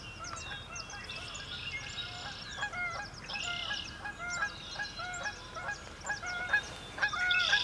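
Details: Sandhill cranes calling at a marsh during a cloudy sunrise: overlapping harmonic, honking calls from many birds, repeated in short bursts, with songbirds chirping high above.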